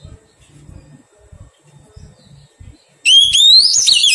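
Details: Oriental magpie-robin, a wild-caught bird being tamed, gives one loud, brief whistled phrase with a rising slide and quick high warble, after several seconds of soft low thumping noises.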